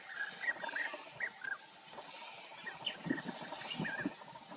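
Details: European bee-eaters at Bölcske, Hungary, giving short, rolling, liquid notes, several overlapping in quick succession, over a steady background hiss with a few low rumbles.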